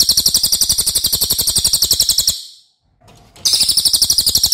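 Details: Long, loud training song of a lesser racket-tailed drongo: a shrill, buzzy, rapidly pulsing trill runs over two seconds, stops briefly, then resumes with the same fast, even rhythm.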